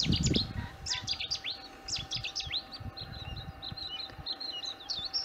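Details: Bluethroat singing on 4 April 2021 after its spring return in late March to early April: a quick, varied run of high chirps, upward-swept whistles and twittering notes, with brief low wind rumble at the start.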